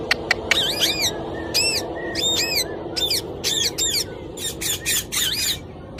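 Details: Talking parrot producing a rapid series of sharp, arching squawks and short chirps in irregular bursts, with a steady low background hum.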